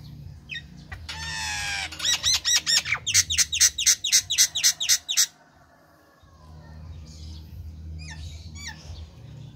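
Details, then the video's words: Male Nias hill myna singing: a buzzy rasping burst, then a fast run of loud repeated whistled and clicking notes at about four per second, stopping abruptly, followed by a few scattered higher notes over a low background hum. "Masteran Jalak Nias Gacor"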